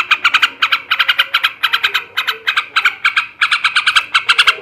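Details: Harsh, bubbling chatter of a male sooty-headed bulbul, ngebrem ngekek style for raising breeding drive, delivered in clusters of three to five quick notes with tiny pauses between them.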